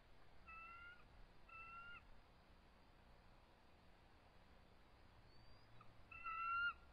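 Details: Stressed eagle pair at their nest around 7:44 pm on March 23, 2014, calling and trilling in defensive posture at an intruder. Two thin, level whistles about one second apart, a pause, then a louder whistled note near the end over a faint hiss.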